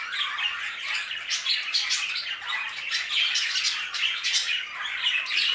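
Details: Many budgerigars in an aviary chirp and warble at once, a constant high, twittering babble with sharp clicks scattered through it.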